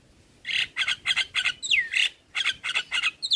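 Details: Javan myna (jalak kebo), described as singing vigorously, in a training-song compilation for caged birds: a fast string of harsh, rasping chatter notes broken by one downward-sliding whistle, in a clean recording.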